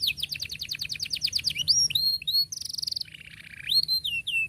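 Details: Canary song aimed at teaching young canaries: quick run of repeated descending notes, whistled upslurs, a buzzy high roll and a lower pulsed trill.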